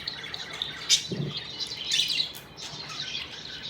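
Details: Happy budgerigars chirping indoors: bright, scratchy twittering with short high chirps and warbling bursts, a few louder squeaky notes standing out, plus a low thump partway through.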